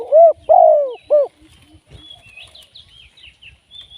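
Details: Spotted dove used as a trapping decoy. One quick three-note coo phrase, a short note, a long falling coo and a clipped end, is followed by high chirping of other birds over faint low rumble.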